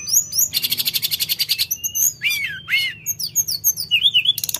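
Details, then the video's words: Lively Sooty-headed bulbul song: a rapid buzzy trill repeated many times, then looping downward-curving whistles and a row of bright chirps, with another quick trill at the close. "Tledekan Gunung Gacor Dor Gada Obat"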